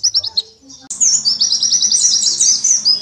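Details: Master song of an Oriental white-eye used to train songbirds, a few high chirps and a short pause, then a dense, continuous run of twittering, high-pitched notes that rush together into a bright, rolling warble.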